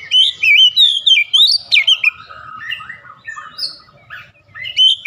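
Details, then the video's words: Oriental magpie-robin singing vigorously while recovering from stress: rapid run of varied whistles, slurs and chirps, loud at first and then softer, richly mixed phrases with brief gaps. "PEMULIHAN AMPUH KACER SETRES LANGSUNG GACOR"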